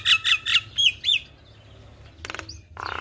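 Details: Javan myna in gacor song with several loud, sharp high chirps, then a pause before harsh grating bursts and a rapid buzzy rattle.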